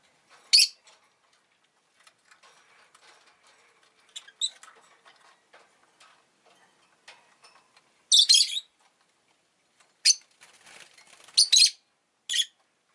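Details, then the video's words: Rosy-faced lovebird kept as a pet, making short, sharp, scratchy chirps spaced irregularly across several seconds, with a cluster of three bursts near the end and faint clicking and ticking in between. "Lovebird Chirping Sounds"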